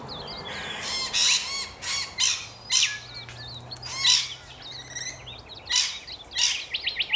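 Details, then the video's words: Harsh, grating screeches from rainbow lorikeets in Australia, coming in uneven bursts, interspersed with thin twittering notes and a steady low hum in the background. "Rainbow Lorikeets"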